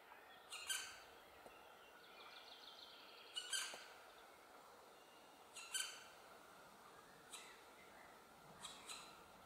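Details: Near a black woodpecker nest where the parents urge the remaining young female to leave, sharp, harmonic calls come singly every two to three seconds, with a faint wavering note between them.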